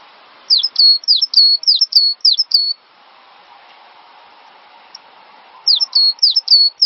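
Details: Training song of a cinereous tit, meant to set other birds singing. About six rapid, high, V-shaped whistled notes, a quiet gap of soft hiss, then a second run of four similar ringing notes.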